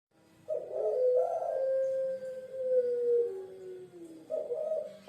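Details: A Puter Pelung dove, a bird of Java, Indonesia kept as a pet, gives low, soft, drawn-out coos that sag slightly in pitch, followed by a shorter hoot near the end.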